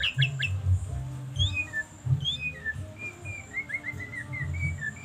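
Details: White-rumped shama singing: a varied run of clear whistled notes, some sliding down and others swooping up, delivered in quick phrases that speed into a rapid series near the end, over a steady low hum.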